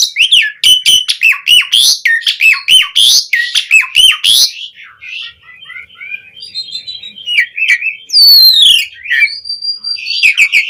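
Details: Energetic 'gacor' song of an Asian pied starling (jalak suren), used to train caged starlings: rapid repeated squawking chips with sharp downslurred notes, then varied whistles and a long drawn-out whistled tone.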